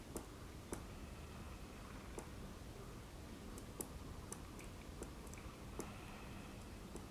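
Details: A great spotted woodpecker taps at a pine cone on 28 February 2022: soft, irregular knocks, about a dozen in seven seconds, with uneven gaps, over a faint low background hum.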